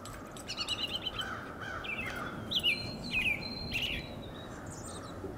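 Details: Two American robins interacting while one vocalizes. A quick run of sharp, high chirped notes rises and falls, the notes coming unevenly about every half second, with a faint sustained whistle and a dull low background hum.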